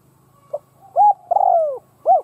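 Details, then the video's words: Decoy spotted dove calling to provoke other doves. A faint lead-in note, then a rounded coo, a long descending coo, and a closing arched coo, all low-pitched and mellow. A faint low hum underneath. "Cu mồi gáy kích bổi chuẩn"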